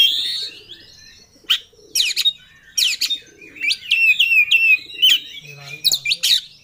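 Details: Oriental magpie-robin in full-emotion song, challenging a rival: scratchy bursts give way to a series of bright sliding whistles and chatter, with intermittent sharp clicks.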